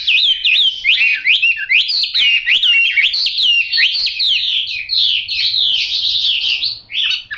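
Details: Chinese hwamei with yellow bill and yellow legs singing a loud, rich run of varied whistled phrases, fast slurred notes rising and falling without pause for the whole stretch.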